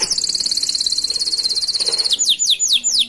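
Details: Master song of a canary, played so other canaries learn it: a loud, fast, even high trill for two seconds, then a series of down-slurred whistled notes.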